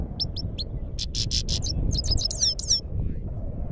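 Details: Himalayan goldfinch in Parachinar singing a quick, high twittering run of tinkling notes, buzzy trills and rising slurred whistles, over a steady low rumble of background noise.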